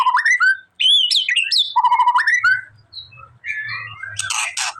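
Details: Song of a white-rumped shama, used to stir a silent bird into replying: clear whistled notes and ringing upslurs in short bursts, then softer scattered notes over a faint low hum and a burst of harsh chatter.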